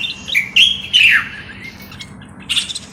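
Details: Common bulbul, Moroccan: a loud whistled phrase of rising then falling slurred notes, followed by softer chirps over a low steady hum.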